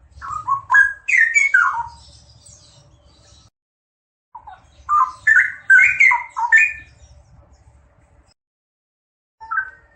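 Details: Paired straw-headed bulbuls pour out mellow, bubbling warbles in bursts of several seconds separated by silence, the notes sliding and jumping in pitch, over a faint low rumble.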